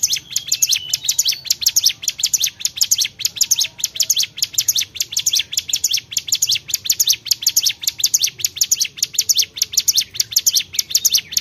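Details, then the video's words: Lively Bar-winged prinia song, an unbroken stream of rapid, high, thin chip notes repeated in quick even rhythm, the bird calling hard throughout over a quiet low background hum. "CIGUN GACOR"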